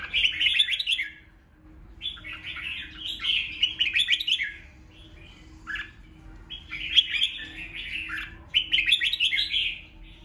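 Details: Red-whiskered bulbul giving a combative song meant to stir up rival birds; quick bursts of bright whistled and chattering notes, several phrases in a row separated by short gaps, over a low steady hum.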